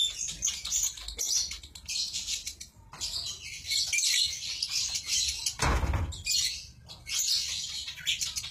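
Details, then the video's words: Lovebird 'konslet' singing: continuous rapid, buzzy high chattering with clicking notes and short whistles, broken once by a brief low thump partway through. "Suara burung Lovebird konslett"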